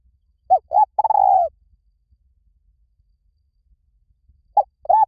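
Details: Spotted dove, recorded as a decoy to attract doves fast. A sharp opening note and a rounded coo lead into a long rolling coo that slides lower. After about three seconds of quiet, the next phrase begins.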